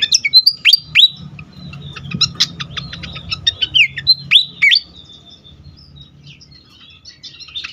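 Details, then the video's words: Agitated fantail in a rapid run of sharp high chips mixed with quick downslurred whistles, dense for about five seconds and then trailing off into quieter scattered notes over a low hum. "sikatan kipas ngamuk"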